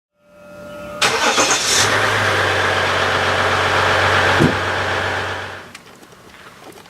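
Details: A vehicle engine starts, revs loudly and steadily for several seconds, then cuts off, leaving quiet outdoor background.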